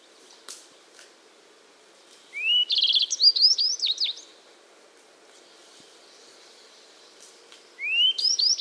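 A yellow-browed bunting sings a brief, high phrase that opens with a rising whistle, then breaks into quick tinkling notes. It repeats after a pause of several seconds.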